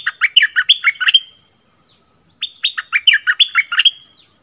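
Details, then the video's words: Two matching phrases from a red-whiskered bulbul in the 'double song' style, dated 24 February 2021. Each phrase holds about eight loud, bouncy whistled notes, alternating higher and lower, and ends in a drawn-out tone. Roughly a second of silence separates them. "เสียงต่อนกดอกแตงEp.33เสียงใหม่ล่าสุด เปิดดอกเพลงเบิ้ลน่าฟังSuara merbah lekir"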